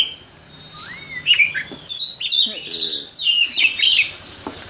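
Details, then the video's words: Champion Oriental magpie-robin let loose to sing: a varied, fast run of clear rising whistles, sharp chirps and sliding high notes in quick phrases, some buzzy rattles between, over a faint low background. "Burung Kacer juara di umbar"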